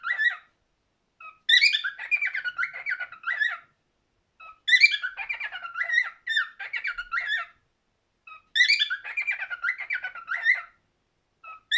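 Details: Singing cockatiel repeating a warbled phrase about every four seconds: each bout opens with a high whistled note, then tumbles into quick chattering trills, separated by short silences.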